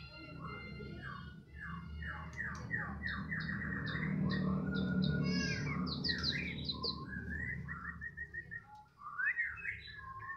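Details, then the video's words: White-rumped shama (murai batu) from Medan singing in the afternoon: a fast, varied run of sharp, slurred, chirping notes repeated several times a second, with a steady low hum underneath. "Lagi pantau mb MEDAN,, di sore hari,,"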